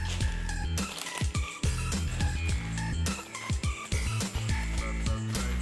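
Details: Loud music with a steady beat, bass notes and sharp percussion hits throughout, and no animal voice heard.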